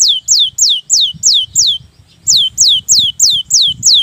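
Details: Lure recording of a Cinereous tit meant to get silent birds singing: loud, ringing downslurred notes repeated about three times a second in two steady runs, with a faint low rumble beneath.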